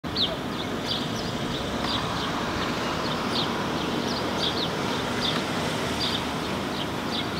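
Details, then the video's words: Male house sparrow hopping on the ground and gesturing while singing in Helsinki, Finland, in June 2020; short, bright chirps repeated irregularly through the clip over a steady, loud background roar. "House Sparrow male singing, gesturing"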